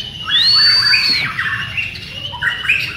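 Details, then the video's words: A Borneo white-rumped shama in a group training session gives a loud, pure high whistle that rises and then holds. Softer warbled and chirped notes follow, with quiet twitters at the end. "LATIHAN BERSAMA BURUNG MURAY BATU BORNEO"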